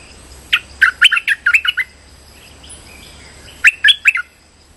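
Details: Streak-eared bulbul calling-type lure sound for bird trapping: a rapid run of six or seven bright, clipped chirps, a pause of about two seconds, then another burst of three chirps; steady faint hiss throughout.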